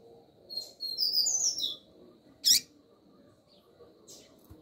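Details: Calling female double-collared seedeater, trying to excite the male: a quick warbling run of high chirps, then one sharp high note and a few faint ticks, with a quiet background.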